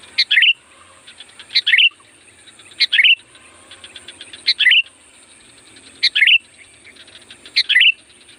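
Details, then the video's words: Sooty-headed bulbul song played to attract wild birds: five quick, rich, chattering phrases, each under half a second, repeated every one to two seconds over a constant thin high hum and faint pulsing insect-like clicks. "SUARA BURUNG CUKUP AMPUH UNTUK PANGGILAN KUTILANG LIAR"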